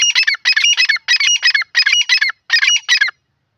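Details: Grey francolin calling loudly: harsh, squawky multi-note phrases repeated about every half second, seven bursts in quick succession, then silence.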